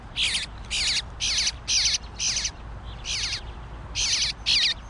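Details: Fledgling bluebird begging for food: grating, buzzy high-pitched squawks, each roughly a third of a second, delivered about twice per second in a steady insistent series.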